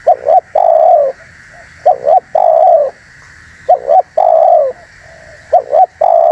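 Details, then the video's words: Spotted dove luring call repeated in a regular pattern: a quick two-part coo followed by a long sustained coo, cycling about every one and a half seconds, close and clear over a constant low hum. "MP3 Suara TERKUKUR GACOR ‼️semua burung pada ngumpul"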